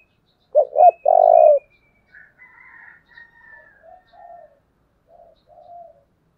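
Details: Spotted dove kept as a decoy to provoke wild doves gives one low phrase: two quick hooting notes and a drawn-out coo, followed by softer, scattered twittering from other birds.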